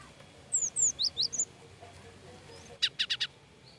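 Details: Cinereous tit sounding frightened, from a tutor recording for cage birds: a few bright descending whistled slurs, then a tight run of four sharp chirps near the end, with low steady background noise.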